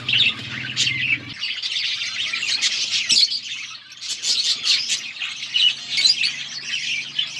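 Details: A flock of budgies chirping as they eat, October 29, 2023; loud, high, rapid tweeting and chattering that barely pauses, with a low hum fading out in the first second.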